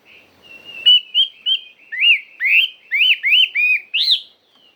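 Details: Chinese hwamei singing a forest-style song: a run of loud, clear whistled phrases, each a short rising-then-falling slur, repeated quickly in a bright, varied sequence with a quiet lead-in note and a faint trailing whistle at the end.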